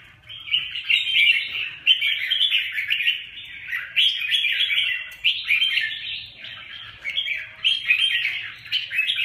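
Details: Red-whiskered bulbuls fighting, a dense continuous stream of overlapping chattering, warbled and squeaky notes, rising and falling in bursts with only brief dips.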